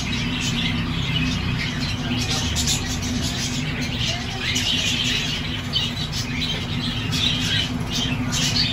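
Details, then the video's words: Baby lovebirds in a nest in a cage give harsh, scratchy squawks and chirps in irregular bursts over a steady low hum, like a fan or motor. "Baby Love Birds in Nest || Lovebirds' Sounds"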